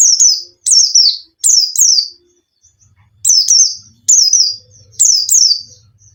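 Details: Caged white-eye song used as a lure to get a reluctant bird singing: high, sharp down-slurred whistled notes, often in pairs, in bursts under a second long separated by short pauses, with a faint low hum in the background.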